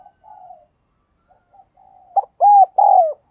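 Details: Spotted dove lure bird: faint low coos and murmurs, then a loud closing sequence of a short note and two long, steady hooting coos.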